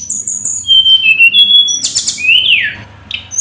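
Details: Loud song of a hill blue flycatcher, aimed at making a rival answer: high level whistles, a brief harsh buzzy burst, then a rising-and-falling slurred whistle and a short final note over low rumble.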